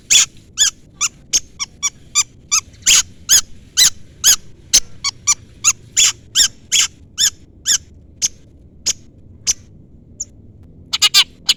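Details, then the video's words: Long-tailed shrike giving a call aimed at a rival, meant to make other shrikes answer: sharp, high, harsh chips repeated irregularly about twice a second, briefly pausing, then a quick burst at the end; quiet background. "pancingan cendet gacor full isian CUITAN MEMANGGIL LAWAN Ini ahlinya bikin burung cendet Nyaut"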